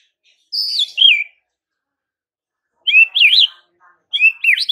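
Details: White-rumped shama morning training song, meant to make rival shamas answer at once. Three bursts of high, twisting whistled phrases with quick rises and falls, separated by silent pauses.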